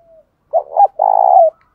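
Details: Single cooing phrase of a spotted dove used to incite fighting and train decoys: two short broken notes followed by a sustained, slightly wavering coo.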